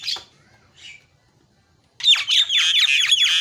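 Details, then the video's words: Asian pied starling, a noisy 'isian' fill-in singer: two faint notes, a quiet pause, then a dense run of harsh, falling, rasping chatter. "SUPER BERISIK JALAK KEBO SUARA ISIAN"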